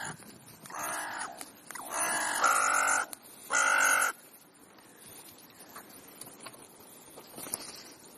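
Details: Crows gathered on an ordinary afternoon in Clara Zetkin Park, Leipzig, Germany; loud harsh nasal caws in three long bursts over the first four seconds, then quieter background with a few faint distant calls.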